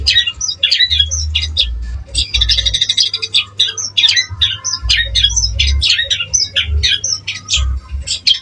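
A long-tailed shrike fires off fast, harsh, scratchy chattering bursts of mixed notes, almost without pause, over a steady low hum.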